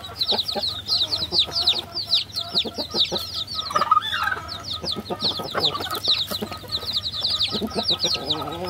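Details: A brood of baby chickens calling nonstop, dense high peeps overlapping from many chicks, some lower soft notes and a steady low hum.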